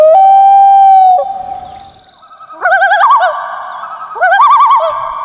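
A Common Loon gives a long, steady, mournful wail, then two quavering, yodel-like bursts of rapidly wavering notes.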